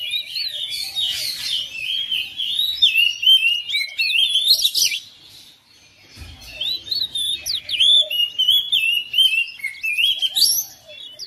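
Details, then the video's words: Home-kept oriental magpie-robin answering another bird within seconds and joining in full song: varied, rich whistled phrases with rising and falling slurs and quick chattering notes, pausing briefly near six seconds before resuming. "KACER RUMAHAN RESPON NYAUT IKUT GACOR"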